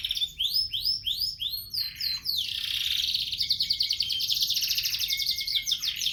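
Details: Canaries, a gray frill back and a yellow, sing: a run of rising, swooping whistled notes, then a fast trilling, rolling phrase held high and bright.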